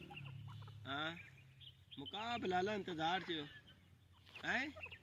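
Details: A grey francolin of the "white teetar" type gives harsh, ringing notes: one short call, then a quick run of repeated rising notes, then a final call, over a low background hum.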